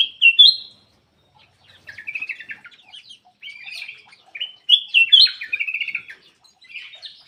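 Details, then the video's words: Black-crested bulbul song meant to encourage quiet birds to sing: a sharp opening whistle, scattered chattering, then a second loud burst of clear whistled notes followed by rapid twitters. "PANCINGAN BURUNG MALAS BUNYI CUCAK EMAS \ KUTILANG EMAS GACOR"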